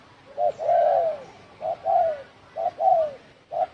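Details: Đồng thổ sấm cooing of a spotted dove, a call meant to provoke rival birds: a short hoot followed by a longer, gently falling coo, the pair repeated roughly every second, with soft background hiss.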